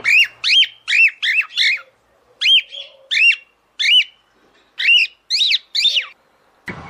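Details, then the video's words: Female cockatiel summoning a male to mate; clear arched whistled chirps delivered in quick groups of two to four, separated by short silences, with a brief rustle at the end. "CALOPSITA FÊMEA CHAMANDO O MACHO PARA NAMORAR."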